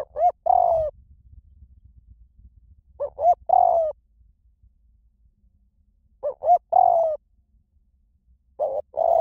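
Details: Cooing song of a spotted dove in the 'small voice' style, used to draw doves into answering: a three-note phrase of two quick hoots and a drawn-out descending coo, repeated roughly every three seconds, four times, over faint background hum.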